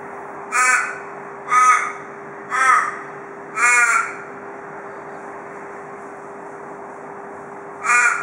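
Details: Australian raven, a cautious daily porch visitor in Perth, Australia, calls four harsh nasal caws about a second apart, falls silent for some three seconds, then adds a fifth, the "cock a doodle doo" pattern of local ravens.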